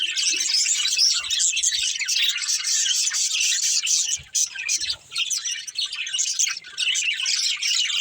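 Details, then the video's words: Budgerigar family at play, chirping nonstop: a thick wash of bright twittering and scratchy notes from many birds at once. Brief dips in the noise near the middle, then steady chattering again. "Cute Budgies Chirping Sounds"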